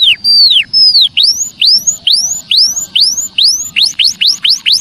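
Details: Javan munia calls used to lure wild birds: a clear, repeated series of high, thin curved whistles, each note sharply slurred, about two or three per second and quickening toward the end.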